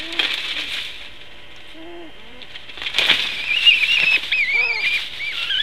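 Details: Long-eared owl defending its nest against another long-eared owl, filmed on a live nest cam. High, thin squealing whistles, some bending up and down, mix with a few lower hoots and bursts of wing flapping.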